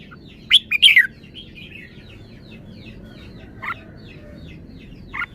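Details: Red-whiskered bulbul with a well-phrased song: a burst of three or four sharp, bright whistled notes, the last falling, followed by two brief single chirps spaced over a few seconds against faint background hiss.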